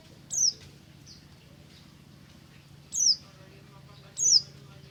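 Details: Pleci buxtomi white-eye in the morning giving sparse ngalas notes: three isolated, sharp, high downward chirps about a second apart, set against a constant low hum.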